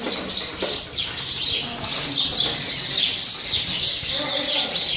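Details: Several sparrows squabble over a new nest box, giving a continuous tangle of sharp, high chirps and short downslurred squeaks, overlapping with no pause across the whole stretch.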